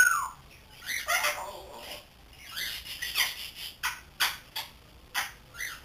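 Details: Three-month-old grey parrot learning to talk: harsh squawks and raspy, speech-like bursts, then a run of sharp clicking calls spaced about half a second apart, recorded indoors.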